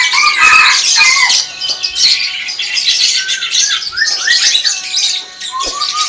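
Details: Greater green leafbird singing in 'tembakan' style: a continuous high, scratchy twitter mixed with short rising whistled phrases and a run of quick upward slurs in the middle.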